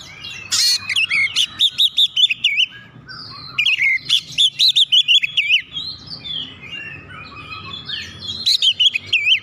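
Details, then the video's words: Oriental magpie-robin singing to provoke other birds into song: three loud runs of fast, looping whistles mixed with scratchy chatter, with softer chirps and twitters in the gaps and a low background murmur. "KICAUAN KACER PEMICU EMOSI"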